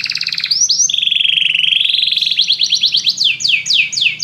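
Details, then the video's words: A flock of canaries singing together after music, giving a quick pulsed trill, two up-slurred notes, a long low smooth rolling tour, then accelerating repeated down-sweeping whistles growing louder toward the end. "muitos canários cantam junto depois de ouvir essa música"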